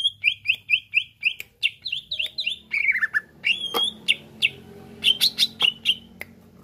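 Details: Varied song of a greater green leafbird, intended to rouse other birds into song; repeated whistled slurs, a descending twittering run, and scattered sharp notes, with some low background noise.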